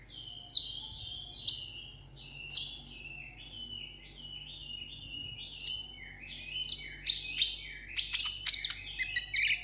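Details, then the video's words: A caged sunbird ('hút mật 7 màu') sings solo in contest style. Separate sharp chirps with falling whistled tails build into a fast, jumbled twittering near the end. "hút mật 7 màu hót đấu solo"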